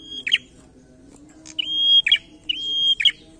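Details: Prinia in lively, challenging song: a harsh burst, then two phrases of a long, pure, level whistle, each closing in a rasping chatter. A faint constant low drone runs underneath.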